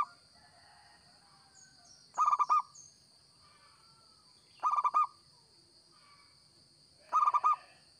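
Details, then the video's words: Zebra dove of local type calling energetically, good as a lure: three phrases of quick, pulsed coos roughly every two and a half seconds, a few faint high chirps early on, and a continuous high-pitched hum. "Perkutut Lokal Gacor‼️Cocok Buat Pikat BUNYI"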